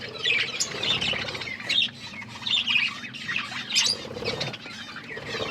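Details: Budgerigars eating corn chirp in a busy, overlapping chatter of quick, bright warbles and squeaky notes, in bursts every second or so over a low background rumble.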